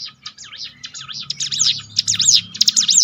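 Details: Bar-winged prinia singing for a training track, with tumbling high buzzy notes that build in loudness toward the end and a soft low murmur behind.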